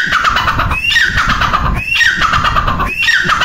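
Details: Grey francolin calling: a loud, harsh phrase of squeaky rising notes repeated about once a second, with steady low rumbling background noise.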